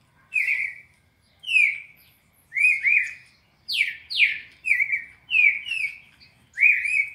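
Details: Red-crested cardinal delivering the classic 4-note training sequence for captive birds: a lively run of rich, downward-sliding whistles, some doubled, roughly every three-quarters of a second, loud and clean.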